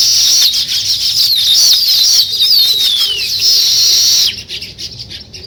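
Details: Weaver birds at work on a nest, giving a dense, buzzy, sizzling chatter with looping squeaky whistles and a falling slurred note, which stops abruptly near the end, leaving only faint rustling.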